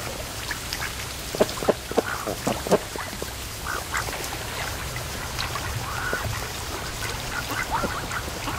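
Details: Relaxed pet ducks resting at a lake creek mouth on a sunny afternoon, a loose run of quick quacks early on, then sparse soft nasal calls against steady low background hiss.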